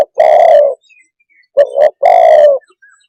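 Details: A spotted dove calls a long, slightly falling coo, a short gap, then a rapid double coo and another long hollow coo, all low-pitched and clear.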